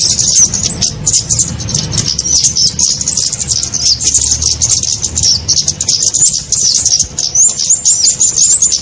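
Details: Kemade sound used as a lure for catching small birds: a dense stream of sharp, very high chirps and quick twitters. A low rumbling murmur runs underneath throughout.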